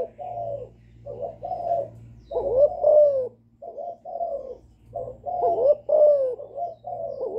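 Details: Young spotted dove cooing in calling and bowing styles to provoke wild doves. Warm, low notes arrive in clusters, a pair of stronger swooping coos standing out, separated by short quiet breaks over a steady background hum.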